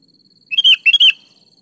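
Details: Sooty-headed bulbul in lively song: two rapid, loud phrases of slurred, bubbly whistles, each rising then dropping, delivered back to back within about half a second.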